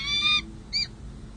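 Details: Peregrine falcon pair at a San Jose City Hall nest site, 16 July 2024, after the breeding season, during a pair-bonding session: two clear, high, harmonic squealing calls, one longer and then a short one, over faint background hum.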